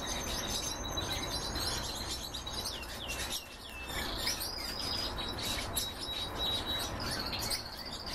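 A goldfinch–canary hybrid sings a fast, continuous run of high twittering notes, clear whistles and rolling trills over a steady background hiss.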